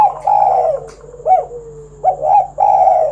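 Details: 'Kuk 1' style song of a spotted dove, intended to draw other doves into singing: loud, full, mellow coos separated by a long, soft, downward-gliding tone, ending with two strong coos.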